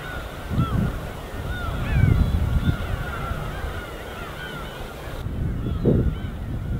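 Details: Winter gulls flying as a flock over the East Sea utter curved, repeated mewing calls while gentle waves and gusts thump low in the background.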